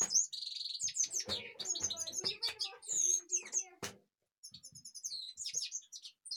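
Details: Kashmir goldfinch singing a fast, rambling run of high twitters and liquid chirps that flow almost without a break before a short gap, then thinner tinkling notes; soft clicking and knocking sounds mixed in.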